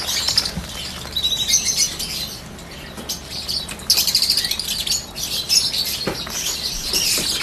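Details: Peach-faced lovebirds, listed alongside yellow birds, in a dense high-pitched chorus of shrill chirps and tweets that overlap and swell in bursts, with soft flutters and faint background hum.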